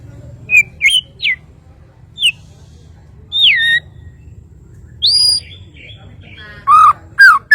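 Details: Bornean white-rumped shama giving spaced, pure whistled notes, some rising, some dipping, with brief gaps of silence between them and a couple of slurred lower whistles near the end.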